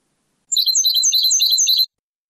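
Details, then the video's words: Goldfinch song in the traditional Moroccan Sebtaoui style, taken from an old cassette: a short phrase of rapid, liquid, high twittering notes packed closely together, with quiet on either side. "CANTO DEL JILGUERO ** شريط نادر و قديم للتغريد الحسون بالنمط السبتاوي المغربي"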